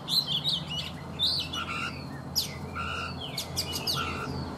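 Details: Oriental magpie-robin, caught wild as an adult and caged for three seasons, morning song: varied sharp chirps and sweeping whistles, with a lower short whistled note recurring several times, over a low background hum.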